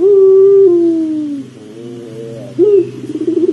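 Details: A pelung dove's long low coo, played to coax doves into calling, holds steady and then slides down, followed by a soft wavering middle part and a renewed stuttering phrase, over a low steady hum.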